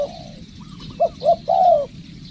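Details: Spotted dove being trained as a decoy bird: a drawn-out low coo, then two short soft notes and a final longer, slightly falling coo, over a quiet background.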